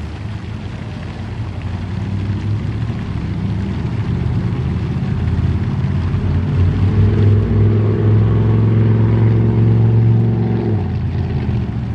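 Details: A steady low engine rumble swells around the middle and fades, like a passing vehicle or boat, with no animal calls.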